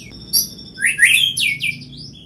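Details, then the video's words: White-rumped shama giving a brief burst of bright chirps and sweeping whistles, several high slurred notes rising and falling in quick succession. "murai batu cepat respon dan bunyi"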